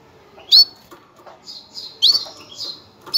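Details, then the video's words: Female canary calling to ready males for breeding, with two loud, high, rising chirps separated by softer, hissy, buzzy notes in a short burst. "انثى الكناري, نداء التزاوج, لتجهيز الذكور"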